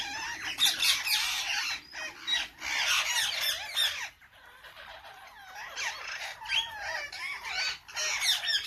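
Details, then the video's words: Parrots screeching and chattering in a noisy group, harsh rasping calls tumbling over each other, a short lull near the middle before the squawking resumes. "May parrots 🦜"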